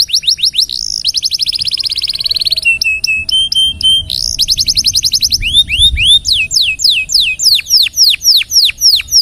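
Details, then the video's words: Canary tutor song for other birds with a fast buzzy trill, short flat whistled notes, then a series of sharp, loud downslurred whistles repeated about twice a second. "KENARI SUPER GACOR DURASI NGEDUR PANJANG....COCOK BUAT MASTERAN SEMUA BURUNG"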